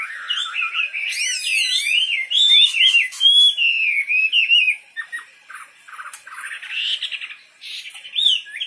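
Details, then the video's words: Wambi bird pouring out wavering whistled phrases that rise and fall in quick loops, followed by softer broken chirps and a final short whistled flourish. "Burung wambi istimewa gacor full"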